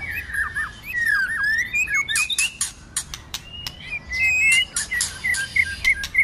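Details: Fighting song of a White-rumped shama in the cold season, intense and varied: slurred whistles and descending notes, then bursts of hard clicks and high thin notes, pouring out almost without pause.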